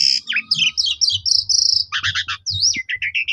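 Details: Lure song of a black-collared starling meant to make other starlings sing eagerly: a dense run of high chattering notes, slurred whistles and quick doubled chirps with almost no gaps.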